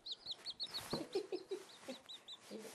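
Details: Four newly hatched Silkie chicks playing indoors, tame and curious, giving a quick series of high, clear peeps, each a short downward-sliding note, repeated several times a second, with a few lower soft clucking sounds and light rustling.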